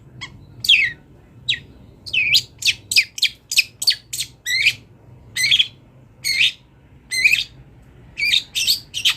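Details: Long-tailed shrike singing a lively, varied song used as a master recording for training songbirds: short harsh chattering notes and rising chirps, repeated in quick bursts roughly every half second, over faint low background hum.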